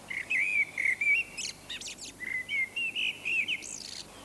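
A common blackbird sings a run of short, clear, fluty notes at a steady pace, broken by a few scratchy, twittering bursts.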